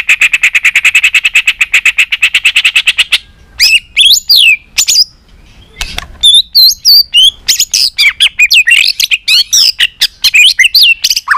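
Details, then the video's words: White-rumped shama singing a long-strand song used to train shamas; a long rapid rattle of repeated notes, then a lively mix of varied whistles, slurs and sharp chips with brief pauses. "Kích Chòe lửa hót nhiều giọng"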